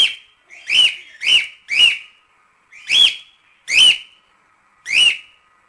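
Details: Household cockatiel calling loudly: seven rising-then-falling whistled notes, sharp and clear, spaced at uneven gaps of about half a second to a second.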